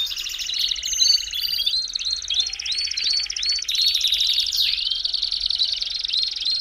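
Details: Belgian canary song played to warm up a canary: dense, continuous trilled rolls of high notes, with repeated whistled upslurs and sharp chirps layered throughout.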